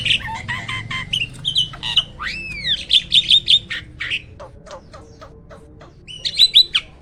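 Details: Black-winged starling, uncommon in the wild, gives scratchy chirps, a looping up-and-down whistle, then rapid clicking notes, a quieter stretch, and a final burst of sharp chatter.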